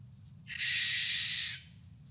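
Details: Barn owl giving its screech call, unlike the hoot of the great horned owl: a single long, harsh, hissing screech lasting about a second, rough and breathy, over a faint low hum.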